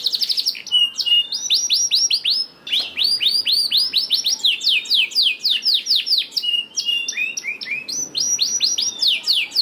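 A canary sings a fast, continuous run of bright rolling trills and rapid chirping phrases, high and loud, with no other sounds.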